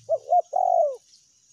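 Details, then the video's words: Spotted dove (tekukur) lure call, recorded for meratus and melambung call styles: two short hooting coos and then a longer, slurred coo that falls in pitch, on a quiet background. "PANCINGAN TEKUKUR SUARA MERATUS DAN SUARA MELAMBUNG"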